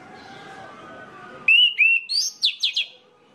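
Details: Orange-headed thrush giving a song used to prompt other thrushes of its kind to sing: after a low droning background, a quick burst of slurred whistles and higher sweeping notes lasting about a second and a half.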